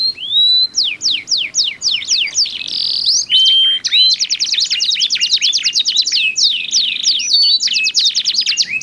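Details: Dueting domestic canaries, each with its own voice, singing to spur other canaries: spaced descending notes, a brief buzzy stretch, then a long dense rolling trill.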